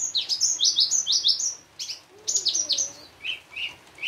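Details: Javan bush lark, called branjangan, in richly varied song used as a lure for other bush larks: rapid high descending chirps in runs, with lower notes and a faint background hiss.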